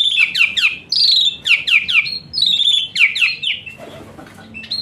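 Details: Asian pied starling song meant to spur a lazy singer: repeated sharp downslurred whistles in quick pairs, rich and high, followed by a quieter pause and a faint final note.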